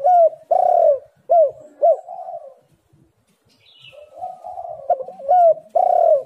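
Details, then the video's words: Spotted dove call meant to coax silent birds into calling: strong short coos with downward hooks, a long soft cooing stretch, then more loud hooked notes. "tekukur super gacor Suara HAS pancingan untuk burung yang malas bunyi"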